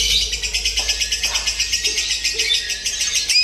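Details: Short burst of high, rattling, rhythmic chatter from a lovebird during simulated singing-competition practice, pulsing evenly with a soft low background hum.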